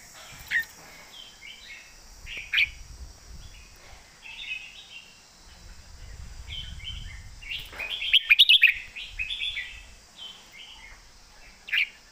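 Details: Red-whiskered bulbul giving a master song of scattered bubbling, chirpy phrases, rising to a dense burst of sharp notes midway, with a soft low rumble in the background.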